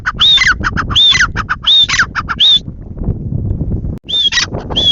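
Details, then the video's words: Grey francolin (teetar) giving a loud repeated call: squeaky arched whistles with sharp clicks, four phrases, a pause filled with low rumbling background noise, then two more phrases. "Teetar ki awaaz Teetar boli Teetar sound"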